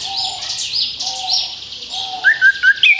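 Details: Orange-headed thrush (anis kembang) as a lure for other birds: a buzzy, wavering, repeated phrase over a faint low whistle, ending with four or five loud, short, upslurred chirps.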